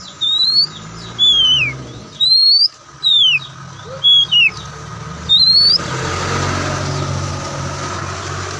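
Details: Oriental magpie-robin (kacer poci) giving loud clear whistles, alternately rising and falling, about one per second, before a steady engine-like rumble takes over for the last few seconds.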